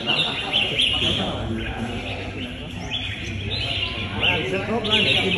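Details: A red-whiskered bulbul kept as a fighting bird gives bright, quick chirping phrases in irregular bursts during a timed contest, with people talking and background noise throughout.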